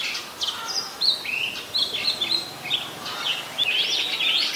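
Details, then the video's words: Oriental magpie-robin song recorded 26 December 2020 in Ubon Ratchathani, Thailand, where it is a very common resident; a run of sweet whistles, quick chirps and slurred notes, ending in a denser burst of high phrases. "นกกางเขนบ้าน Oriental Magpie Robin (singing)"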